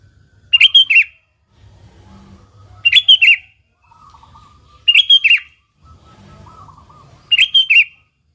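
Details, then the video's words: Lure recording of a sooty-headed bulbul to make bulbuls sing: four crisp bubbly phrases of several rapid notes, one about every two seconds, with faint lower whistles in the gaps. "Suara Burung Kutilang Gacor ASLI Tanpa isian,Ampuh tuk pancingan Kutilang bikin kutilang Ribut gacor"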